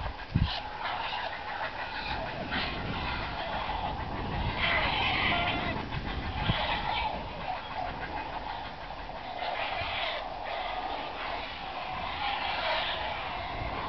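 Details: Oversized heron chicks at a rookery in Cowichan Bay, nests on alder treetops by a ravine, fighting loudly and aggressively over food delivered by adults in June; grating, noisy squawks come in irregular bursts over a steady raucous din.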